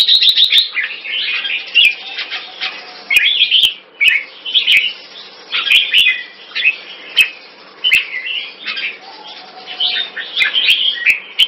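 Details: Red-whiskered bulbul singing in a Singapore competition, first win: bursts of rich chirpy, warbled phrases separated by short pauses, with frequent sharp clicks and a faint lower whistle in the background.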